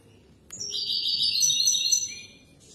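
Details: Song of a European goldfinch meant for tutoring young birds, a single high liquid phrase of rapid twittering notes and thin trills, about a second and a half long.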